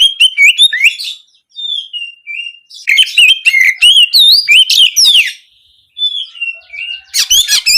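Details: Oriental magpie-robin song with canary-shooting notes, used to encourage singing for daily or contest form: nearly continuous fast phrases of bright whistled slurs and trills, broken by short pauses, ending in harsh chattering notes.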